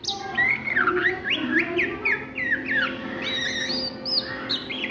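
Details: Ngriwik singing by an Oriental magpie-robin at midday: a string of clear descending whistled slurs repeated about every half second, then higher thin whistles, with faint low hum.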